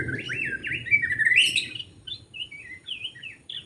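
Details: Brief, continuous warbling song of a forest white-rumped shama recorded during bird trapping, with rising and falling whistled notes running together.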